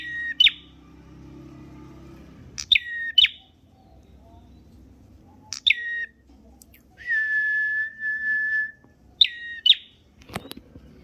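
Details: Red prinia singing: sharp paired high chips repeated every few seconds, with one long, level whistle held for about two seconds midway, over a faint low hum.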